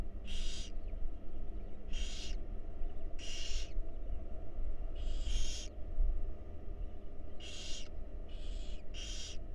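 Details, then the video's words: Wild barn owl young at feeding time in a research nest box, repeated rough hissing screeches in half-second bursts, some in quick pairs, above a faint low drone. "Barn Owl Babies Enjoy A Delicious Meal"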